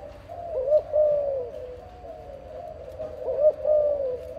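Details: Dove from a parent breeding pair cooing twice, about three seconds apart. Each phrase is a brief upturned note, then a drawn-out, softly falling coo, with a constant low hum underneath.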